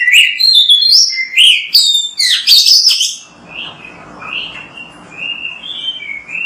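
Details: Vigorous Oriental magpie-robin (kacer) song from a training recording for kept birds: three seconds of loud, tumbling whistles and rising slurred notes, followed by softer, evenly spaced short whistled phrases over light background hiss.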